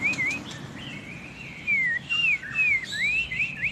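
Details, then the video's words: A white-rumped shama of the Medan type, long-tailed and singing actively, gives rich whistled phrases that swoop up and down in loud bursts, with short pauses between them. "murai batu Medan gacor ekor panjang"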